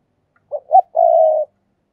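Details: Decoy spotted dove, a kept ornamental bird, calling: two short low coos followed by a long, steady, mellow coo lasting about half a second, in a quiet setting.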